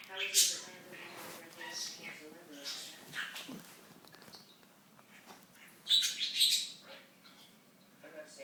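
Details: Budgerigar chattering and talking, a mix of soft warbled syllables and a few sharp, high squeaky bursts, with quieter pauses in between.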